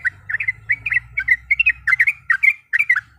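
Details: Female yellow-vented bulbul in breeding condition calling a male, used to provoke a rival: a quick run of short bubbly, slurred chirps, roughly four per second, each note sliding up and down, over a faint low hum.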